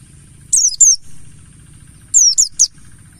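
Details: Lure song of the mountain white-eye (Pleci Buxtoni): two short groups of high, sharply falling whistled notes, two then three notes, separated by a pause of over a second, over a constant faint low rumble.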